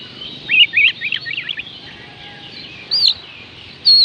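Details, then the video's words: Oriental magpie-robin singing, a recording for stirring reluctant birds to sing: a quick series of five or six short looping chirps, then pauses and two brighter whistled notes, with steady noise behind. "oriental magpie robin kicauan Kacer panggilan Kacer malas bunyi"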